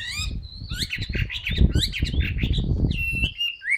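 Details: Chinese hwamei, a caged singer, delivering quick swooping whistles and slurred phrases over heavy low thumping and rustling noise.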